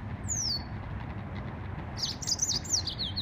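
A yellow-fronted canary gives a thin, falling whistle, then a quick run of bright, high twittering notes over a low background rumble.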